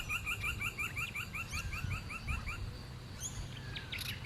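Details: A Hooded Robin at Scheyville National Park west of Sydney, Australia, displaying openly, gives a quick run of about a dozen clear, piping chirps, roughly four a second. A few higher notes from another bird and a low rumble of wind follow.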